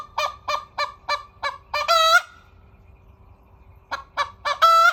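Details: A crowing hen gives six evenly spaced, harsh clucks that lead into a loud, sustained, nasal crow note. After a quiet gap, three more clucks lead into a second strained crow, over a faint low rumble.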